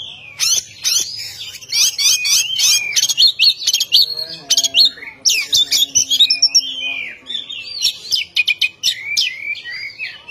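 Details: Oriental magpie-robin delivering a provoking 'ngeplong' song aimed at stirring up a rival: fast, sharp ticking notes at the start, then varied whistles, trills and swooping phrases, with a faint lower hum partway through.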